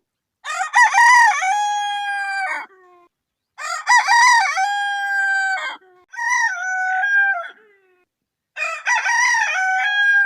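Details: A rooster crows in the morning four times, each a loud, hoarse cock-a-doodle-doo about two seconds long, with brief silences between.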